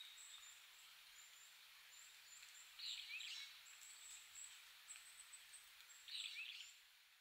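A Hawfinch gives two brief, sharp, high clusters of ticking calls a few seconds apart, over faint, thin high chirps and soft outdoor background noise.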